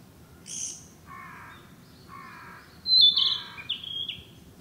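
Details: Woodland Narcissus flycatcher song: a sharp high note, then two lower buzzy rasping notes, followed by a loud clear whistled phrase that descends in steps, recorded in a breeding area where this summer bird nests.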